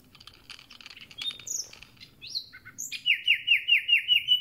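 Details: Freshly returned common nightingale starting to sing: soft chatter and a few slurred whistles give way to a crisp run of identical rising notes, repeated quickly and evenly, growing louder.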